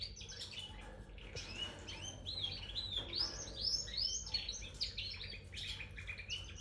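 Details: A red factor canary pours out fast, bubbling twitters and rising and falling whistled slurs in an unbroken stream, with a constant low background hum.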